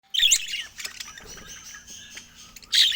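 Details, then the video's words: Pet budgerigars showing affection, sharp high chirps at the start and a loud burst near the end, with quieter chattering warble between. "Top Cute Budgies Showing Love with Funny Sweet Sounds"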